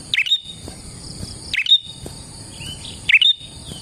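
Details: Prinia song used as a lure: three bright chirping phrases roughly every one and a half seconds, each dipping then whistling, with a faint softer note between and a constant high hum.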